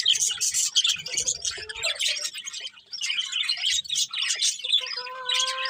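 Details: Morning chatter of many birds, bursts of high, rapid chirps and squawks, with a clear steady whistled tone running through the final second.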